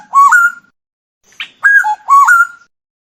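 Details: Black-naped oriole singing, with clear fluted whistles around a steady mid pitch and rich overtones. Two short phrases with a short gap between them, then a soft note. Quiet background.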